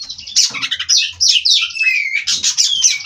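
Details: Energetic song of a bred white-rumped shama from Cirebon, dense harsh squawky notes blending into sweeping whistles, with faint low knocking in the background.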